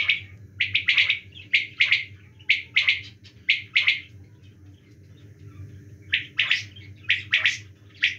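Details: A quail calls in winter with bright, clipped notes in tight triplets. The phrases repeat at uneven intervals with a pause mid-way, and a constant low mechanical hum runs underneath.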